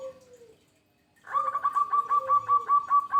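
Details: Local zebra dove singing: a soft, low coo sliding downward, a short pause, then a fast run of ringing, clipped coo notes repeated about two to three times a second over another low, descending coo.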